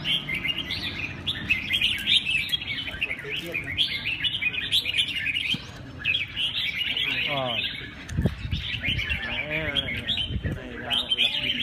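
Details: Red-whiskered bulbul, a Huế bird: continuous bright chirping and warbled phrases repeated steadily, with a man talking in Vietnamese partway through and low background noise.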